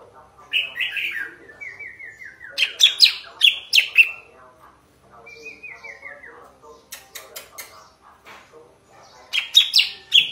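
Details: Sooty-headed bulbul singing in a clear, powerful voice: clusters of loud, bright chirped phrases alternate with quieter descending stepped whistles, then another bright burst closes the sequence.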